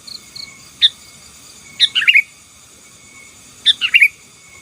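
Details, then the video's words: Sooty-headed bulbul song used to press rival birds: a lone sharp chirp, then two rapid bubbly phrases of falling chirps nearly two seconds apart, with faint high pulsed chirrups at the start. "Suara Burung KUTILANG GACOR || Ampuh Menekan Lawan"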